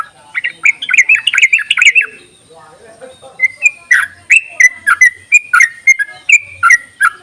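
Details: Rapid, warbling chatter from a yellow-vented bulbul, offered as a lure to make quiet bulbuls sing. A tumbling run of notes breaks off, then clear, evenly spaced liquid chirps follow, about two each second.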